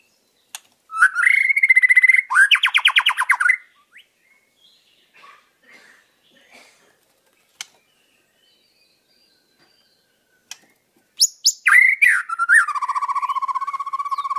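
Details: Wild white-rumped shama from Indonesia, song used as a tutor for captive birds: a burst of rapid trilled strokes, a long quiet gap with faint notes and clicks, then a loud rattling phrase ending in a steady low buzz.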